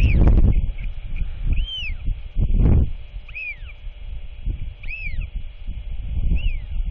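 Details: Royal albatross chick chattering at dusk as its father arrives to feed it, 27 March 2024; a run of brief arched squeals spaced about a second apart, with loud gusting wind underneath.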